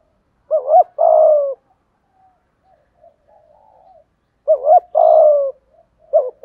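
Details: Full cooing song of a spotted dove in the 'giọng thổ' style, 'thúc gù' delivery: a brief wavering hoot followed by a drawn-out, low, gently falling coo, given twice with a quiet gap between, a third phrase starting at the end.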